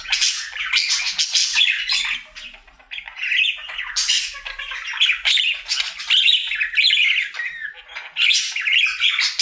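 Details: Pet male budgie on his daily singing routine delivers a long run of harsh squawks, clicks and scratchy chirps in rapid jumbled phrases, with a brief lull near three seconds.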